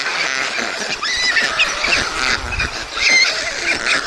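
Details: White storks at a nest in Mladé Buky, Czech Republic, on 20 June 2022, feeding two chicks; wavering, harmonic mewing calls rise and fall over steady wind-like background rush.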